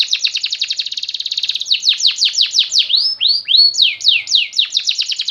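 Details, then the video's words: Singing canary delivering a rapid rolling trill that shifts into slower downward-slurred notes and a few rising whistled phrases, all high and loud, with no other sounds. "Kicauan indah kenari belum punah"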